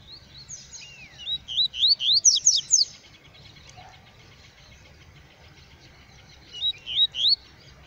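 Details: Black male yellow-bellied seedeater singing out in the bush: a phrase of clear, rising slurred whistles that quicken into loud sweeping notes, a quiet gap, then a short repeat of the upswept whistles near the end.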